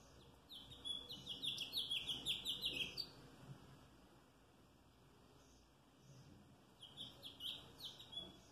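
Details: Song of a house finch, 3 May 2022: a quick tumbling phrase of high chirps and twittering notes lasting two and a half seconds, a pause, then a second shorter burst of similar notes.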